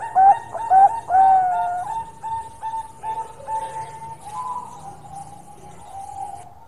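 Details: Perkutut Bangkok zebra dove in long song: a few loud, rounded coos open the phrase, then a long, steady, level hum-like tone fades gradually under quieter notes.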